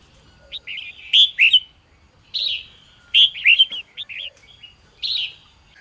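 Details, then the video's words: Red-whiskered bulbul, a trained cage bird, singing in the morning: repeated phrases of bright whistled notes with loud downward-slurred accents, each phrase a quick cluster separated by short pauses. "chào mào hót sáng QUÁ HAY"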